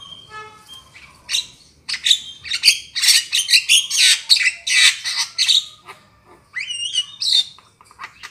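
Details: Lure call of the black-winged myna for trapping: a faint thin whistle at the start, then dense bursts of harsh screeches and chatter, with a couple of clear rising whistles near the end.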